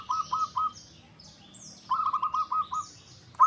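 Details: Zebra dove, local type, as a lure call for making birds answer: three mellow coos, a pause, then a quick even string of about seven rolling notes, while high sliding whistles from other birds sound above.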